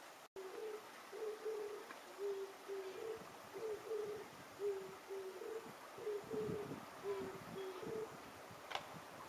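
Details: An Oriental turtle dove perched on a power line, chest puffed out, gives low, hoarse cooing notes in a steady rhythmic phrase, repeated without pause over a soft background hiss.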